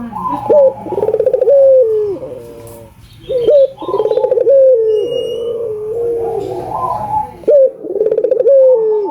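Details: Persistently calling albino collared dove, for playback to prompt other doves to call. Phrases recur roughly every three to four seconds: a short upward note, a quavering rolled section and a long steady drawn-out coo.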